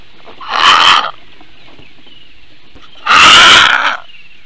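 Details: Female Eurasian bittern in Latvia responding to an unidentified aerial threat, 9:25 AM on 7 May 2022. Two loud, harsh, rasping bursts, each about half a second long and about two and a half seconds apart, over a faint background of other birds singing.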